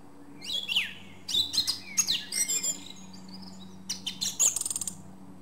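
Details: Song thrush in full song: varied phrases of whistled slurs and sharp chirps, a quick stuttering group of repeated notes, then a rapid buzzy trill near the end, over a faint low hum.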